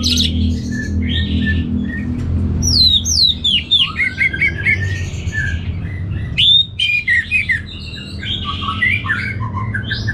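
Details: Orange-headed thrush (anis merah), a caged songbird from Singaraja in North Bali, delivering loud varied whistles, slurred sweeps and short squawky notes in bursts, with a constant low hum underneath.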